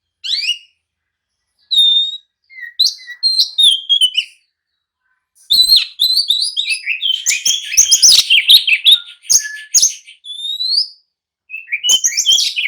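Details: Oriental magpie-robin singing emotionally to goad rivals into answering and fighting: sparse whistles at first, then a long, loud, intense outpouring of mixed whistles, buzzes and chatter.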